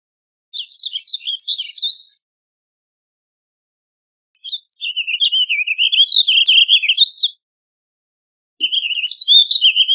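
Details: Warbling vireo singing three bursts of quick, rambling warbled notes, the middle phrase longest at nearly three seconds, separated by short silent pauses.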